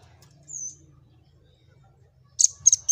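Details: Velvet-fronted nuthatch, a song used for tutoring other birds and prompting them to sing: a thin, high descending whistle, a pause of nearly two seconds, then three sharp, very high notes in quick succession over faint low hum.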